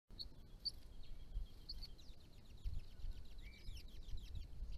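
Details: Brown-headed honeyeaters (Melithreptus brevirostris) at a pond feed each other, mate and then drink, giving thin, high chips and a rapid run of short buzzy notes, with one brief rising whistle, over low rumbling background noise.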